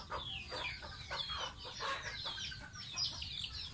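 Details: Pet baby goose in its bath, peeping almost continuously: thin, high, falling whistles packed closely together over soft background rumble.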